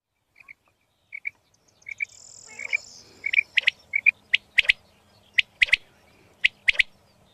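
A female quail gives short paired chirps, a pair about every second, that become louder and sharper toward the end. A brief hiss is heard early on.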